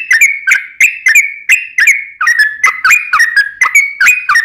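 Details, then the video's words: Sooty-headed bulbul singing a continuous string of warbled whistles with snappy onsets, three to four notes per second, intended to stir other birds into reply. "trucukan ropel panjang TARUNG PANCINGAN TRUCUKAN agar bunyi JADIKAN burung trucukan gacor NYAUT"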